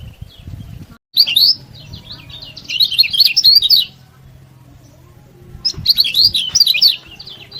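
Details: Lemon-bellied white-eye, an energetic master song used to make lazy birds sing, with two bursts of rapid, high, twittering warbled notes separated by a quiet pause over a low background hum.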